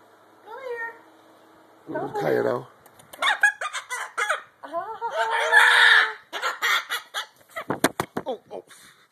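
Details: A pet Catalina Macaw, coaxed by a person to sing, gives a run of warbling, wavering notes mixed with harsh squawks and clicks, some sliding up in pitch, while singing and dancing for the camera as the person talks.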